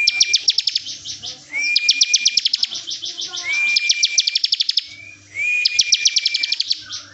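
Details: Bren-style song of a bar-winged prinia used as a tutor recording, with dense clicking trills riding on a level whistled tone, phrases repeating after brief gaps.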